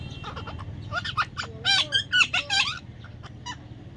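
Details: Baby parrot chattering in a rapid run of raspy, squeaky squawks and short nasal notes, rising in loudness midway and then trailing off into scattered softer chirps.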